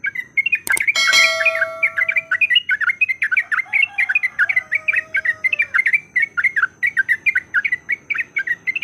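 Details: Yellow-vented bulbul fighting song used as a lure to provoke other bulbuls: rapid, bubbly chattering notes repeated several times a second, with a sharp click near the start and a faint steady whistle-like tone in the background.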